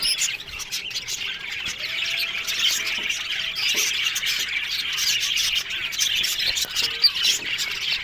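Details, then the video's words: Many budgerigars in an aviary colony chatter continuously with dense high chirps and raspy squawks, and a brief clear whistled note stands out in the middle. "One Day Parakeet's Sounds Budgies Love Birds HD Sounds"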